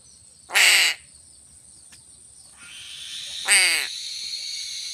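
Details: Crow being fed fish gives two rough, drawn-out caws three seconds apart, with a rising hiss of background noise entering before the second call.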